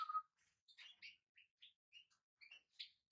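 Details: European goldfinch giving short, bright chirped notes, some rising and some falling, in a loose series of about eight separated by brief pauses. The background is otherwise quiet.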